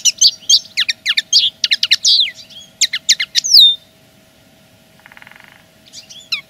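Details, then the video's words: Linnet song voiced as a plain territorial claim, a quick run of sharp, high chirps and twittered notes closing with a falling whistle, then near silence broken by a soft buzzy rattle and a few final notes. "Le chant de la linotte est une revendication pure et simple."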